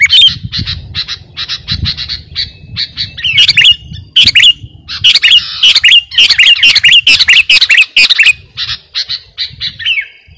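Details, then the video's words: Sooty-headed bulbul (kutilang garuda) in vigorous song, recorded as a master and lure sound. Clipped buzzy notes build into bursts of loud, tumbling whistles and chatter, with a faint low hum beneath. "Burung KUTILANG GARUDA Gacor..!! cocok buat pikat masteran"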